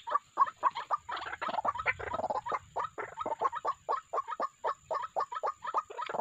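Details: Calls of white-breasted waterhens serving as a trapping lure: rapid, jumbled run of coarse, clipped notes, several voices seeming to overlap, pulsing roughly four times a second throughout.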